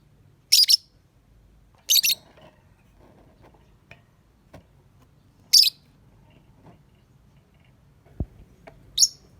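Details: Lovebird, described as pretty and a good singer, giving four short, shrill, high chirp bursts spaced irregularly over about nine seconds, with faint low background rumble and a single click.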